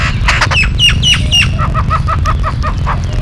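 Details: Yellow-billed babbler, known locally as Kariyila Pakshi, giving a fast run of harsh, squeaky notes, first higher and sharp, then lower and softer, several per second, over low rumbling background noise.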